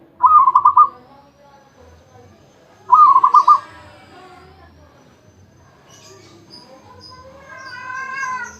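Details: Zebra dove (perkutut) singing continuously without pause: two loud bursts of rapid, staccato, bubbling coo notes about two and a half seconds apart, then quieter mixed background sounds and a wavering harmonic call near the end.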